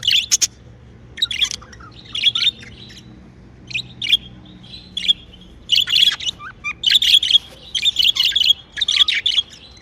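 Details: Happy home budgerigars chatter in irregular bursts of high chirps and buzzy warbles, about once a second, becoming a steady stream toward the end, over a soft low hum.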